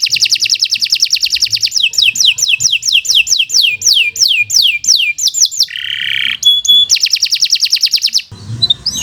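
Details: Nonstop canary song for tutoring other songbirds, opening with a rapid high trill that gives way to a series of downward-sweeping whistled notes repeated about twice a second, then a brief harsh burst and another quick rattling trill.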